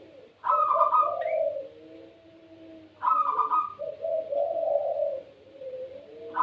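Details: Caged puter pelung dove in full voice: a sharp, bright opening note followed by drawn-out low coos, the phrase returning after about two and a half seconds, said to prompt other doves to join in.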